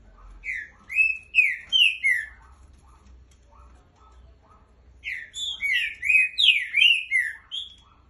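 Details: Green-winged saltator song: two phrases of rich whistled notes, each note slurring up or down, delivered in quick succession with a pause between phrases.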